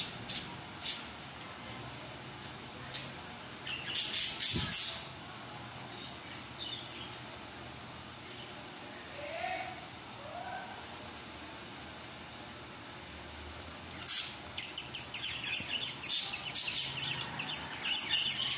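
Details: A baby budgerigar eating feed gives bursts of rapid, raspy, high-pitched chirps separated by quiet pauses.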